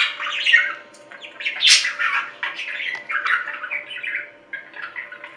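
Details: Budgie sounds meant to keep a lonely pet budgerigar company: busy warbled chatter of rasping chirps and short squeaks, one bright upward squeal near the start, over a low indoor hum.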